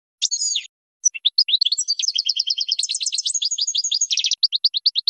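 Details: European goldfinch singing for young birds to learn from, a brief buzzy note, then a lively rush of tinkling twitters and trills, ending in evenly spaced chirps.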